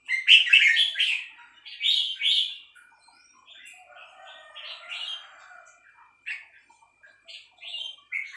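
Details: Female red-whiskered bulbul singing a three-syllable song style: bright, chirpy warbled phrases in bursts, strongest at the start, then softer pauses and short renewed phrases, with no other sounds.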